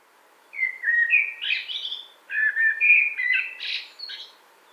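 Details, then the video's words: Common blackbird in a spring wood, 2017, singing two unhurried phrases of mellow, fluty warbling, each ending in a higher, squeaky twitter, in otherwise quiet surroundings. "warbles of common blackbird"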